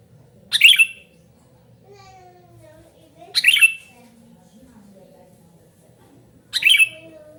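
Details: Sooty-headed bulbul calling with noise and persistence, for luring and tutoring other bulbuls: three short harsh chirps spaced about three seconds apart, with faint lower whistled notes drifting between them.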